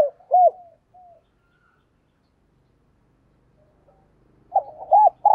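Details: Spotted dove decoy cooing to attract wild doves, heard as two fragments: arched coos and a brief trailing note at the start, a long pause with low murmuring, then two more arched coos.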